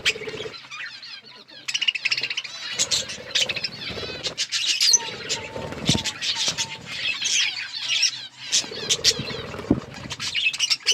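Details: Budgerigars at play and feeding, pouring out a busy stream of sharp, warbling chirps and squeaky notes, loud and near-constant after an opening lull, over a soft low hum.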